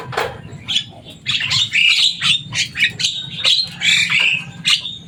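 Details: Noisy chatter from a kept Javan myna, described as loud and able to copy human words: dense run of grating squawks and clipped whistles, closely packed over a constant low-pitched hum.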